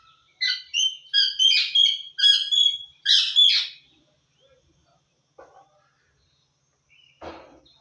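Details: Pet talking parrot from Assam saying Assamese words; a burst of about eight quick, voice-like syllables over three seconds, squawky with clear bands, then quiet with a couple of faint clicks and one harsh short note.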